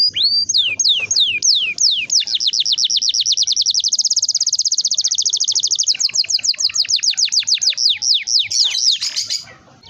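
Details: Canary in full song, a long rolling trill used to prompt young canaries to start singing: fast repeated descending whistled notes merging into a steady buzzy roll, then slower sweeping notes, about 200 per minute.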